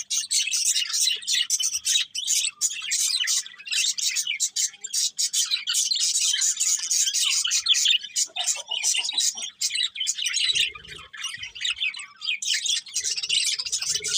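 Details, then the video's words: A morning flock chirping steadily, rapid high tweets repeating in a fast, almost continuous stream, with a few soft, lower notes in the last seconds. "Cute Birds Chirping Sounds In The Morning"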